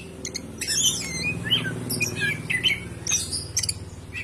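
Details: Greater green leafbird song used to stimulate other birds into singing: scattered short whistles and chirps, some sliding down, over a steady low hum in the background.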